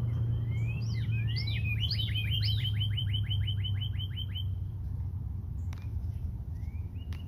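A Northern Cardinal sings a few slurred whistles, then a fast run of about a dozen sharp, evenly spaced chip-like notes. A low steady hum runs underneath.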